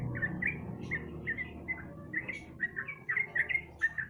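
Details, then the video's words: Sooty-headed bulbul used as a lure for a bird that will not sing: irregular series of short, bright, downslurred chirps, some in quick pairs, over a low rumbling background. "pancingan trucuk malas bunyi"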